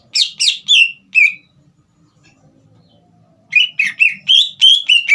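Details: Green leafbird in full song, kept caged, meant to excite a young speckled bird into singing: four sharp falling whistles, a silent gap, then a quick run of seven or so slurred whistled notes.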